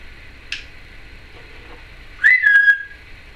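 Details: Female Timneh African grey parrot, a pet, chattering: a faint click, then a bright whistle that rises briefly and falls into a steady tone, with soft clicks.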